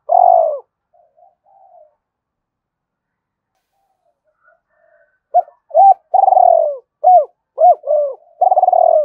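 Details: Spotted dove giving a lure call to bring in other doves: one loud rolling coo, a quiet gap, then a fast series of short arched coos and long rolling coos closing the clip.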